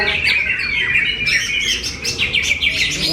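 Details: Greater green leafbird, a kept bird from Kediri, delivering fast, varied chattering song. High whistled slurs and sharp chirps follow one another without a break.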